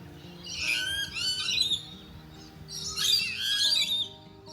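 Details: Lorikeets, numerous and loud around the Gold Coast, Australia, usually in pairs, give two bursts of shrill, harsh, overlapping screeches, with a low steady hum underneath.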